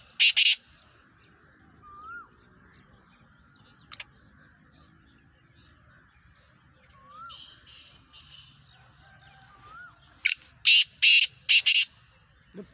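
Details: Caged Black francolin (kala teetar), one of a home-bred pair, gives a single harsh, grating burst, then a quick run of four loud rasping notes near the end; faint, curling whistles of a quieter bird sound in between.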